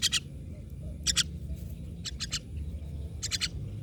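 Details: Myna birds giving raspy double and triple chattering notes in quick groups about once a second, with low background rumble throughout.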